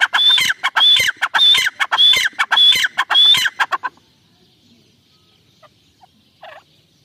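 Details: Iranian francolin pair (teetar) giving a loud, fast series of rasping, clucking notes mixed with thin whistled tones for about four seconds, then near silence with a faint low sound.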